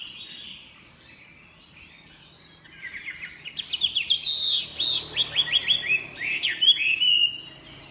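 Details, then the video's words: Chinese hwamei singing strongly: after a quiet start, a loud run of rapid, varied whistled notes sweeping up and down, repeated quickly for several seconds, then fading. "SUPER GACOR MANTAP SUARA KICAUANYA//Burung Hwamei"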